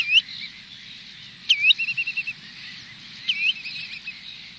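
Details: Spotted redshank flock at Minsmere: flight calls and trills, sharp clear two-note 'chu-wit' whistles, three in under five seconds, one followed by a quick stuttering trill, over soft hum; gulls and terns in distance; finding: Spotted redshank.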